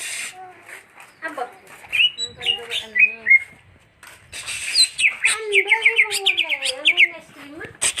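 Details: Greater green leafbird singing: bright whistled notes and quick chirping phrases of rising and falling slurs, in fast bursts, over a background of human voices.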